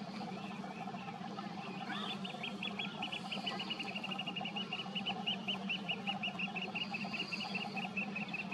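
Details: Sanderling (Calidris alba) foraging intently gives a rapid run of short, high ticking notes, about four a second, over a steady low rumble of surf or wind.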